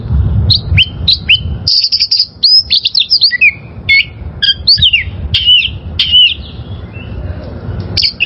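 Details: Wild-caught oriental magpie-robin song meant for training caged birds: dense string of bright whistles, buzzy notes and downslurs, briefly pausing before resuming, low rumble underneath.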